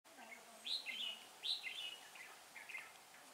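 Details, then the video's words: Red-whiskered Bulbuls, a trapped male and female pair, recorded 6/12/2016. Two bright whistled phrases about a second apart, each a sharp high note dropping into a short warble, then softer broken fragments, over a faint low steady hum. "Bẫy chào mào cả vợ cả chồng rất máu"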